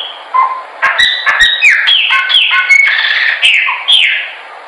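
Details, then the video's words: Chopi blackbird singing, recorded for training birds: a dense run of rich whistles, many slurring downward, with dry clicks and a few lower notes, over a constant background hiss. "melhor pássaro preto/cantando para treinamento."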